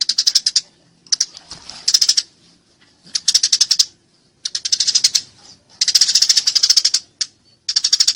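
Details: Eurasian tree sparrow fighting, delivering repeated short bursts of rapid, piercing chirps, some merging into dense chatter, with brief silences and a few soft rustles between phrases.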